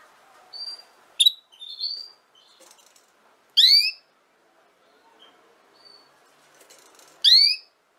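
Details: Canary used for teaching young canaries their song: scattered soft peeps and short whistles, then two loud, full downward-sweeping chirps about four seconds apart, over a low room murmur.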